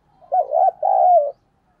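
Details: Spotted dove decoy bird cooing to attract wild doves: one loud, low phrase, a warbling coo followed after a brief break by a long, steady, slightly falling coo, under a second and a half overall.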